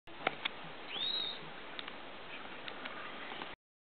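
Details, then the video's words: Band-tailed manakin gives one short, slurred whistle that rises and falls, with a few sharp clicks just before it, over steady forest hiss. "Band-tailed Manakin"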